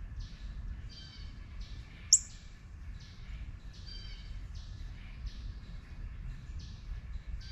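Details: Young northern cardinal giving a run of brief high descending notes, roughly two per second, with a single piercing loud chip near the start; steady low background hum.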